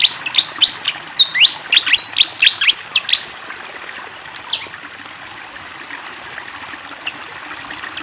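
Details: Fantail flycatcher in busy song beside flowing water: about three seconds of quick high chirps and whistles, roughly four per second. The bird then falls silent, leaving the steady trickle of the stream.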